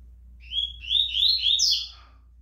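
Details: Competition-kept Rusty-collared seedeater, ready for tournament season, giving a fast, vigorous phrase: a run of rapid, slurred, sweet high notes climbing to a sharper final note, over a low steady indoor hum.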